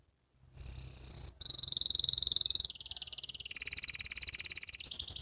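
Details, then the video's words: Young canary learning its song (ngriwik): a clear high whistle, then a chain of fast rolling trills stepping down and back up in pitch, closing with sharper notes. "KENARI BELAJAR BUNYI, BELAJAR NGRIWIK"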